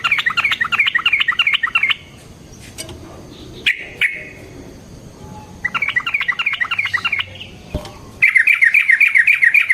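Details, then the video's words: Yellow-vented bulbul with a long fighting song meant to lure other bulbuls: long rolling runs of rapid chattering notes, broken by a quieter stretch with a few single sharp chips before the rolling resumes. "Burung TRUCUKAN GACOR Ropel Panjang Cocok untuk PANCINGAN Trucuk"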